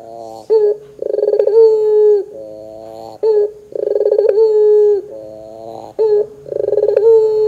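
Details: Pelung-style Barbary dove used as a lure recording to prompt doves to sing: repeated phrases, each opening with a short note and a rolling, stuttering trill that runs into a long steady low coo.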